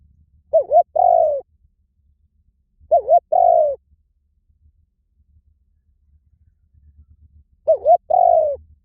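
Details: Spotted dove call: a wavering, dipping first coo then a sustained mellow coo, the phrase given three times with long silent gaps.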